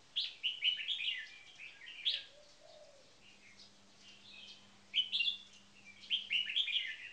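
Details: Red-whiskered bulbuls kept in cages, one ranked first in marathon frequency singing, deliver rapid chirpy whistled phrases in bursts, with a soft lower gliding note and a faint steady hum between them.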